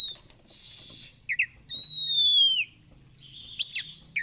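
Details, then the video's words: Oriental magpie-robin (kacer) song used for training birds: sparse phrases with two short chirps, a long pure whistle sliding downward, and a brief sharp burst, separated by soft hissing background. "SUARA BURUNG KACER GACOR COR"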